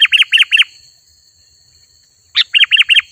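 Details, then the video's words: Sooty-headed bulbul in lively 'gacor' song for attracting wild bulbuls: short groups of three or four clear arched chirps, a silent gap of over a second, then another quick run of similar notes, with a thin constant high whine throughout. "Suara Burung Kutilang Gacor Asli"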